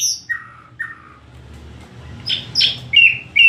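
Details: Nightingale giving well-spaced short falling whistles, then after a pause a cluster of louder sharp notes and bright repeated whistles, with a low steady hum behind.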